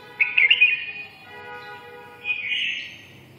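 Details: Red-whiskered bulbul ('mí đỏ') in 'siêu ché' style: a quick sparkling chirped phrase, a pause, then a second rolling warble, with steady faint tonal hum underneath throughout.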